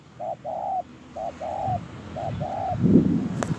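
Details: Spotted dove at Tu Mơ Rông, Kon Tum, Vietnam, dated 10/1/2018, uttering three phrases of a short note and a longer, flat coo, followed by low bumping and handling noise and a sharp click.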